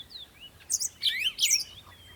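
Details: Birds at morning sunrise: thin sliding whistles followed by a dense run of bright, overlapping twittering chirps and a long high whistle trailing off, over a steady noisy background.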